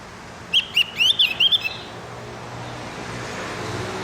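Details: Javan grey-throated white-eye morning song for training captive birds: a fast burst of about seven high whistled and slurred notes within a second, then quiet with low traffic rumble.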